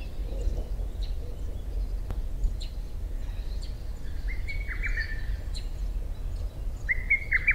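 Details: Lesser cuckoo singing in June at around 4 a.m., two loud, hurried phrases of sharp staccato whistled notes, over a low steady rumble with faint high chirps from other birds.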